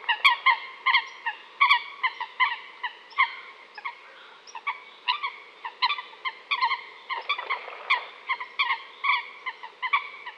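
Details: Coot giving short, nasal, honking notes in quick irregular bursts, often paired or tripled, about seventy-six a minute, with a brief rustling noise near the end.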